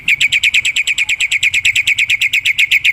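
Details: Wild black-winged myna repeating a fast, even chatter of harsh rasping notes, roughly seven a second, loud throughout.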